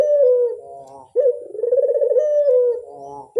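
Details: Barbary dove (burung puter) lure call: low, rolling coos with a throbbing, pulsed texture, each phrase sliding down then swelling again, broken by a brief pause partway through.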